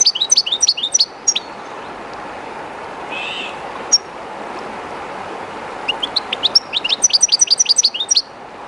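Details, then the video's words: Kept European goldfinch, a little timid in the new place, sings by the Río Jerte: quick tinkling twitter, several quiet seconds, then a long lively stream of rapid chirps against steady rushing water. "JILGUERO CANTANDO EN EL RÍO/Goldfinch singing in the river/Chardonneret chantant dans la rivère"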